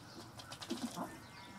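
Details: A North American Ruddy duck in courtship display gives a few faint soft taps followed by two or three short, low, hollow grunting notes, over quiet hiss.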